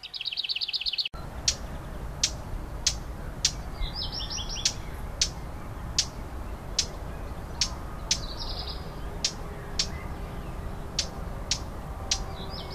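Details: Lesser whitethroat nestlings in the nest give short bursts of high, rapid chirping begging calls, repeated several times, with a sharp repeated clicking every half second or so and a low background hum throughout.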